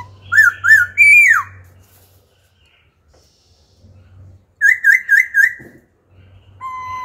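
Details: Wild-caught adult laughingthrush with a wild-style song that keeps switching phrases to stimulate young birds: looping whistles and a falling slur, a pause, then four rapid wavy whistled notes, a steady tone and a low hum.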